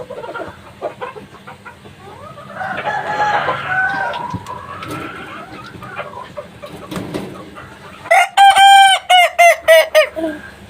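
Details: Young Kukuak Balenggek chicken, three months old, crowing: after several seconds of faint clucks and background noise, a loud crow begins with a sustained clear note, then breaks into a rapid chain of short, stepped syllables that fade out.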